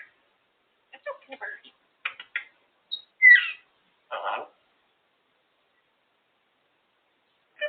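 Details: Female African grey parrot, pet, on her cage, chattering and making noises: scattered short bursts of speech-like mumbling, clicks and one bright rising whistle, broken by pauses, the loudest burst midway, then a long quiet stretch.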